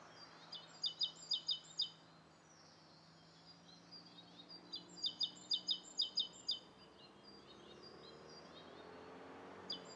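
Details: Rose-coloured Starling in Bishopston, Bristol, 29 November 2014, morning. Two runs of bright, high chirps, each a fast even series, separated by a quiet gap with faint low hum.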